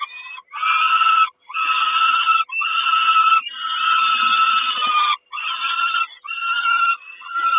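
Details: Peregrine falcon mother bringing breakfast to the nest in Kawęczyn on 3 June 2022; loud, drawn-out, harsh wailing calls repeat roughly once a second, each strained and nasal.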